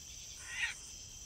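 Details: One brief, harsh, scratchy call from a Caspian tern in flight, rising and falling in loudness, against a continuous high background hum.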